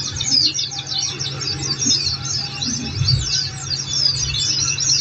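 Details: Oriental white-eye song played to coax caged songbirds into answering: quick high chirps and slurred twittered phrases tumble over one another continuously, with a faint low hum and a few soft thuds underneath.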